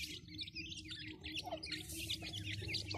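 Grey francolin chicks keep up a dense, overlapping chatter of thin, high peeps, several each second, over a steady low background hum.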